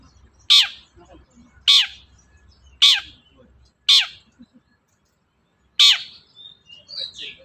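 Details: Long-tailed shrike call used to provoke a silent shrike to answer: loud, short, harsh downslurred notes repeated about once a second, five in all, with faint twittering near the end.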